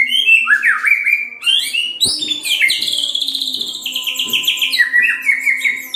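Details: Song of a white-rumped shama, used as a lure for other shamas: varied swooping whistles and fast trills in a continuous stream, with a sharp click near the middle and a faint low hum underneath.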